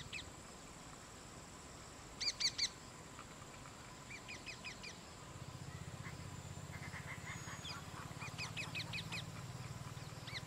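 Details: Rose-ringed parakeet mother feeding her two chicks; scattered bursts of grating, harsh notes, a louder cluster of three early, softer runs later, while a low mechanical drone joins midway under a thin high hiss.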